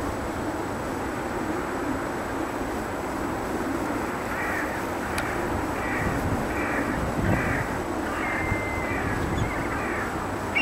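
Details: Perched black kite giving a run of short, arched, whistled notes that wobble in a quick series over steady low rumbling background noise, with one sharp click partway through.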